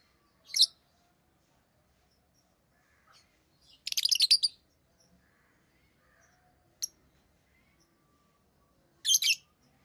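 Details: Rosy-faced lovebirds of orange-faced green and red-headed green colour forms give sharp, shrill chirps, with a dense buzzy burst near the middle and single piercing notes spaced several seconds apart in a quiet room.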